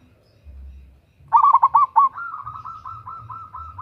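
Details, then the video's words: Local zebra dove female calling a male, a lure call: one burst of four or five sharp cooing notes, followed by a softer, steady string of quick repeated coos on one pitch. "Perkutut Lokal GACOR Suara BESAR - Pancingan bunyi"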